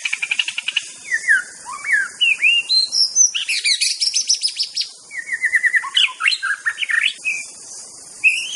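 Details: White-rumped shama from Aceh, a recording used as a model song for training: varied rich whistled phrases, rising and falling slurs, with quick chattering notes in between, over a steady high hiss of insects.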